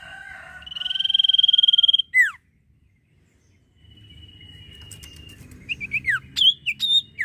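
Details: Common iora singing actively. A long, steady, pure whistle with buzzy overtones gives way to sharp descending slurs. After a quiet gap, a thin held whistle is followed by a string of quick chirped notes over low background rumble.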